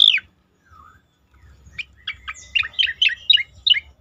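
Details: Asian pied starling song used as a training recording for competition birds: a high falling whistle, a pause, then a run of sharp chirps and warbled notes between middle and high pitch.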